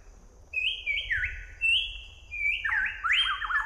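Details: Song of the southern variable pitohui, known as a poisonous bird with a sweet voice: high level whistles dropping in steps, ending in a warbling, wavering phrase.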